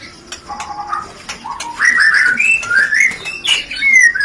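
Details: White-rumped shama 'rencetan' lure song, used to stir breeding urge and mating: soft low warbles at first, then louder rising whistled phrases stepping upward in pitch, ending with a falling clear whistle.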